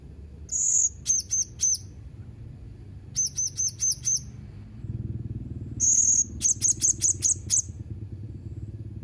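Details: Blue-crowned hanging parrot dated 31 March 2021, mixing drawn-out buzzy high notes with rapid runs of four to six sharp shrill chirps, over a low background hum.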